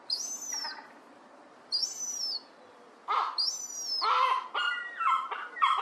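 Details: Two juvenile herring gull siblings, newly able to fly and out of the nest, playing in a garden: thin high descending whistled cries repeated, followed by harsher, lower squealing calls in rapid bursts toward the end.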